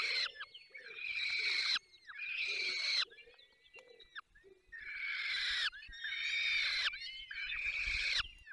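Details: Falcons feeding at the nest, Barycz Valley, Poland: a run of grating, hoarse calls, each about a second, broken by a brief lull with faint thin whistles midway.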